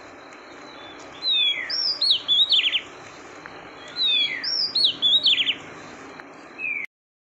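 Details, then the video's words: Female oriental magpie-robin calling to stimulate the male, two phrases about three seconds apart, each a sweeping high whistle followed by rapid, buzzy-edged slurred notes, ending with a short falling whistle before an abrupt cut to silence. "Tiếng chòe than mái kích Trống"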